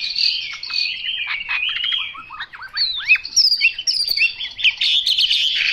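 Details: Chinese hwamei in full song: fluid, high whistled phrases mixed with fast twittering and sharp upslurred notes, delivered continuously and loudly.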